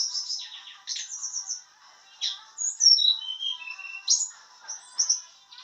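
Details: White-browed shortwing learning to sing, practising its trilling song: clear high whistled notes, some sliding down and some rising, mixed with short buzzy phrases and brief pauses.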